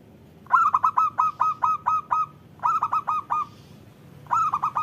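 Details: Local zebra dove singing, used to prompt lazy doves into calling: bursts of rapid, fluted cooing notes on one pitch, eight in the first run, then shorter runs after pauses, in a quiet setting.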